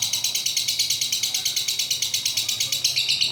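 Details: Pet lovebird performing its long ngekek: a continuous high, rasping trill made of fast regular pulses, about three per second in loudness swells, sustained throughout without pause.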